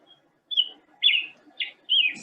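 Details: In California oak woodland in spring, a Black-headed Grosbeak sings four short, rich, whistled phrases that slur downward, about half a second apart, over faint background hum.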